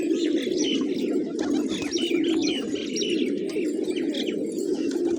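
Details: Village pigeons eating grain in the morning, low steady cooing from the flock beneath frequent, clear repeated chirps of small birds.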